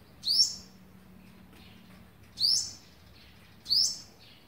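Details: Olive-backed sunbird, also called yellow-bellied sunbird, at the nest on the eleventh day of feeding its young, recorded 27 November 2019; three sharp, high rising chirps with a downward-sweeping upper trace, spaced about 1.5 seconds apart against quiet background.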